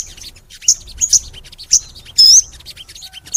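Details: Crimson sunbird in energetic, long gacor song: scattered bright high chirps and short whistled notes, with a brief loud rapid trill near the end, then quieter ticking notes.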